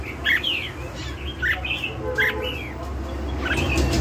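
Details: Red-whiskered bulbul giving lân hầu bò song, short mellow phrases each ending in a falling slur, repeated roughly every second, with a deep background rumble.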